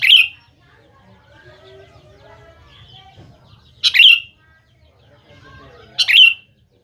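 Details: Lure song of the sooty-headed bulbul for prompting young birds to answer: three loud, short phrases spaced a few seconds apart, each an abrupt burst ending in a brief descending whistle, with faint softer notes between.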